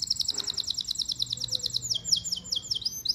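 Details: Domestic canary, a male, singing a rapid high trill of evenly repeated bright notes, then several sweeping downslurred whistles, with faint low hum beneath.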